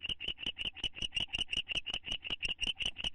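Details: Nest-box owl pair bonding, one attempting affection, recorded May 9, 2011: brisk, regularly spaced high chitters, about three per second, each a short scratchy pulse.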